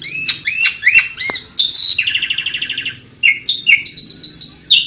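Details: Asian pied starling in 'tembakan' song: several downslurred whistled notes, then a fast buzzy rattle lasting about a second, followed by short whistles and slurred phrases.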